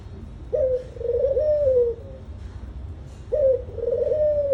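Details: A dove's soft cooing: two phrases, each opening with a brief upward note then a drawn-out, gently undulating low coo, spaced nearly three seconds apart over a steady low rumble.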